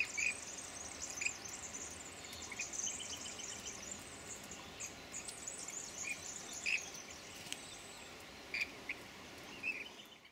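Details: Rainbow bee-eaters resting on a clothes line give short, rolling chirps every second or two over a steady high insect hiss; Rainbow bee-eater.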